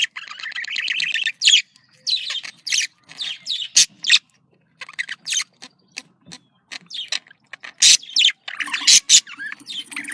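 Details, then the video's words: Budgerigar calling, described as happy contact calls: varied chattering with buzzy warbled notes, sharp clicks and high squeaks in irregular bursts. "Voz decomunicación.de loro australiano /sonido de llamada de periquito / se sentirá feliz"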